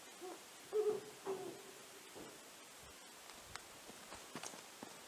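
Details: Brown wood owl giving two short, low, hollow hoots close together near the start, then silence apart from faint clicks and rustling against a quiet background hiss.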